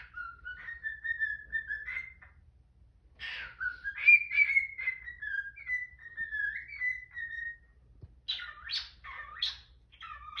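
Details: Morning singing of a pet cockatiel with a protesting Quaker parrot nearby: long smooth whistled phrases sliding up and down, then a burst of harsh, rapid chattering squawks at the end; indoor setting.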